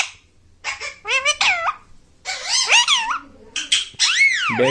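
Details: Captive Indian ringneck parakeet indoors producing quick, speech-like squawky syllables. Pitch climbs and dips in rapid sequence, then ends in a long, loud, downward-sweeping squeal.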